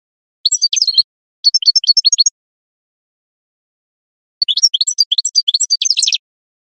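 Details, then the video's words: Goldfinch singing: three bursts of rapid, tinkling twittered notes, high and jumbled, the first two close together, then a pause of about two seconds before a longer, busier liquid phrase, in a quiet setting. "GOLDFINCH SINGING"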